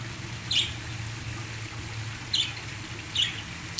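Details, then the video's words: Pet parakeets give three brief, high chirps a second or two apart, singing along to a waterfall whose steady low rush runs beneath. "parakeets singing to the sounds of the waterfall"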